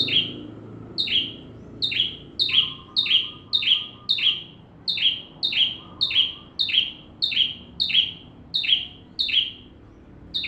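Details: Bar-winged prinia in full voice, captured as training material for white-rumped shamas. A long run of roughly sixteen paired notes, each a high tick and a descending buzzy sweep, delivered rapidly and almost evenly.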